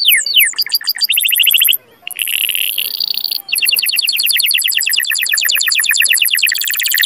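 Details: Canary song for encouraging mating, made of rapid trilled rolls broken by two brief silences, then a long steady high rattling trill.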